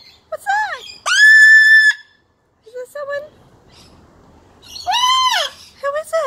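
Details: Pet blue-and-gold macaw talking and laughing while playing with its owner: loud, clear harmonic calls that rise and fall in arches, one long level note, then a curved call and short clipped notes after a pause.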